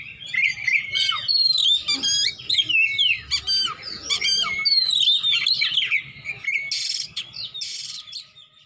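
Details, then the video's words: Oriental magpie-robin singing besetan style with a rich fill repertoire. A continuous, fast stream of slurred whistles, trills and chattering notes, with a couple of harsh rasps near the end, over a faint low hum. "besetan kacer isian mewah"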